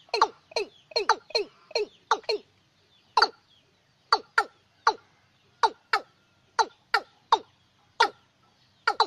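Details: Watercock calling, a lure for night use in lunar months six to ten: a rapid burst of clipped, throaty clucks, then a pause, then a slower, evenly spaced series of single descending notes.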